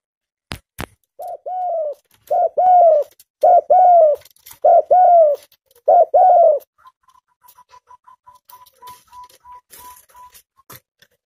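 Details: Tame spotted dove calling vigorously, with five clipped low coos about a second apart, followed by a run of faint, evenly spaced, steady-pitched beeps and some clicks.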